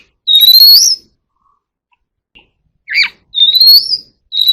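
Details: Oriental magpie-robin in contest singing giving sparse, clear whistled phrases, each a rising sweep with a short buzzy note between. Pauses of a second or more separate the phrases and the background is silent.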